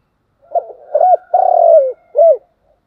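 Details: Spotted dove in steady 'thúc gù' cooing: soft broken notes lead into a rounded coo, then a long vibrating coo that drops at the end, closed by a short arched coo.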